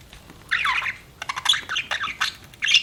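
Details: Pet budgerigar chirping: scratchy, warbling bursts of chatter with short rapid notes, one burst near the start, then a run of quick broken chirps and a final squawk.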